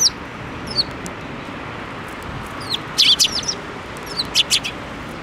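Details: Sparrows at a Tenmangu shrine, 7 May 2024, flying onto a hand to be fed; scattered thin chirps early, then a louder burst of overlapping chirps mid-way and a few more near the end.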